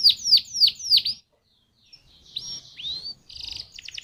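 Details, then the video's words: Canary song from a lure recording made to get other canaries singing: four loud falling notes, a brief pause, then two rising whistles and a short buzzy trill. "Pancingan Burung Kenari Jitu Langsung Nyaut Kenari Mana Pun Bakal Ngerol Dengan ini"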